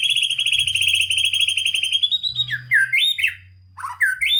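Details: White-rumped shama used to stimulate lazy birds: a long rapid trill held for about two seconds, slowly rising, followed by looping slurred whistles with a brief pause.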